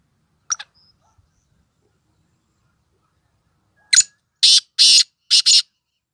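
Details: Female black francolin (kala teetar, 'kali madi') from Sindh and Punjab, the voice used to stir males into excitement: one sharp brief note early, then after a pause four harsh, broadband rasping calls in quick succession over a quiet background.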